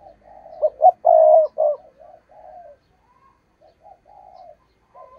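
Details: Spotted dove used as a decoy to lure wild doves into traps: a loud burst of low coos with one long sustained note, then a run of softer, quieter answering coos.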